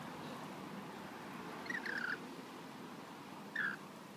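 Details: Local rainbow lorikeets being hand-fed on a balcony in Australia; one gives two short, harsh, grating screeches about two seconds apart, over a steady low background hum.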